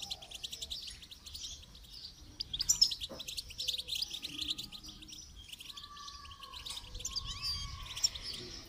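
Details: Goldfinch singing during song training, a continuous stream of rapid, high, jingling twitters and trills running through the whole recording, with brief louder bursts and a few faint lower drawn-out tones in the background.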